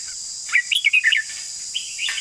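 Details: Red-whiskered bulbul singing a quick burst of about six bright, warbled chirping notes, rising and falling, followed by a softer short phrase near the end, over a steady high insect drone.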